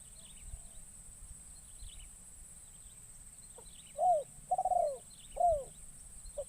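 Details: Forest lure session with a young caged spotted dove. After a few quiet seconds comes one soft cooing phrase of a short note, an arched coo, a trembling drawn-out coo and a descending coo, over a steady high drone.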